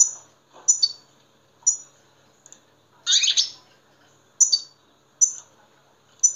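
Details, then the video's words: European goldfinch song used to prompt other goldfinches to sing: high, sharp, tinkling notes with quick downward slurs, repeated roughly every second, and one louder, buzzy twittering burst in the middle. "en iyi saka huylandırma sesleri birleşimi"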